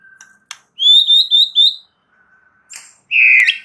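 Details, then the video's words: Champion white-rumped shama song used as a lure to provoke other shamas. A loud rolling series of four high whistled notes, a pause, then a harsh buzzy burst. "PANCINGAN murai paling AMPUH"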